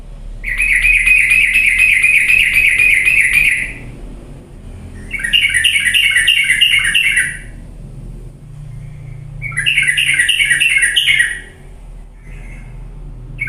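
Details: Yellow-vented bulbul song used as a lure to get idle birds singing: three long bubbling, rapidly trilled phrases, each lasting two to three seconds and separated by short pauses, with a soft hum underneath.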